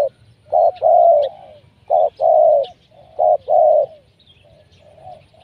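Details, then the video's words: Spotted dove used as a lure to trap wild doves, cooing from below: loud hoarse coos in three phrases, each a short note followed by a longer drawn-out falling coo, with faint chirps of other birds above. "Mikat Tekukur,, Pikat nguku terus di bawah.. BLnya nga tahan.."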